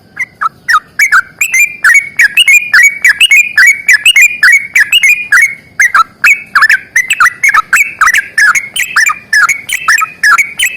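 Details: Sooty-headed bulbul delivering a fighting song in long rapid runs: a steady torrent of lively, gurgling whistled notes that rise and fall, barely pausing, with sharp clicking attacks.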